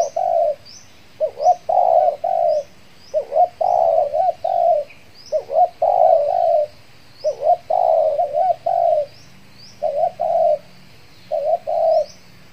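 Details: A spotted dove decoy, used to lure wild doves in a mixed durian and banana garden one afternoon, gives soft, mellow coos in runs of two to four notes every few seconds, with faint high chirps from another bird.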